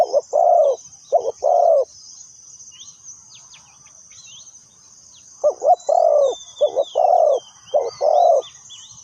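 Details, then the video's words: Spotted dove used as a lure for trapping, giving a burst of hollow coos, then a silent gap of several seconds before a longer run of doubled and drawn-out coos. Scattered high chirps of small birds throughout. "Suara Terkukur Pikat Tua"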